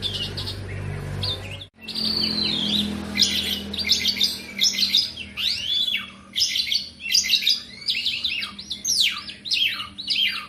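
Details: Kept Asian pied starling in continuous vigorous song: after a brief dropout, a long varied stream of chirps, buzzy notes and falling whistled slurs continues to the end, over low hum.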